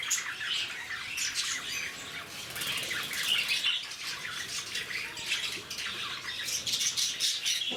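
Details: Lovebirds kept at Bannerghatta Zoo in Bangalore give a continuous wall of high, scratchy squawks and chirps from many birds at once, with brief louder peaks.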